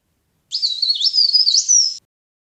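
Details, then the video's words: Leaf warbler song played as a trapping lure: one unbroken phrase of thin, very high wavering notes with sudden jumps in pitch, about 1.5 seconds long, in otherwise silent surroundings. "CIKRAK DAUN GACOR | CIKRAK DAUN PIKAT | SUARA PARE PARE GACOR"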